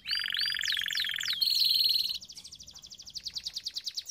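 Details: Canary song for training: a loud continuous buzzing roll with whistled slurs above it, then a thin steady tone, then a softer rapid trill of repeated high pulses.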